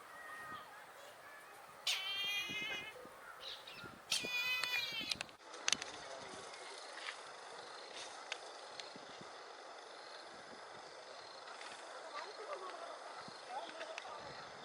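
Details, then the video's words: At Kasavanahalli lake in Bangalore, India, a Brahminy kite gives two drawn-out, wavering, mewing cries, each about a second long, followed by quiet outdoor background noise and a single sharp knock. "Weird bird sound - Brahminy kite call voice | Haliastur indus voice"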